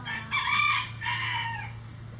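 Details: Among at least 20 crowing roosters of standard and bantam breeds, one bird delivers a slightly distant, raspy crow. A rising first phrase leads into a longer, fading second part over a low background hum.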